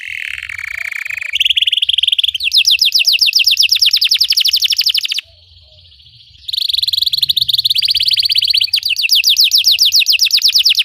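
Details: Belgian canary singing to teach caged canaries: a low whistled phrase climbs into buzzy rolls and long rapid trills of falling notes, broken by a short quiet gap, with faint talking.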